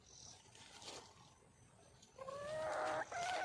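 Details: A wild junglefowl hen seeking a mate, heard after a quiet start as loud, strained, harmonic calls that rise and waver, broken by a short pause near the end.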